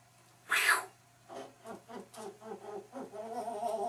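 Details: Pet parrot making varied sounds: one loud harsh squawk, then a string of low, throaty, harmonic muttering notes repeated about every third of a second, ending in a longer warbling phrase.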